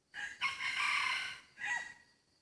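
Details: Crow from a hybrid junglefowl in a rubber plantation during decoy luring: two short opening notes, a long harsh sustained middle section, then a clipped falling tail, moderately distant, with a faint steady insect hum.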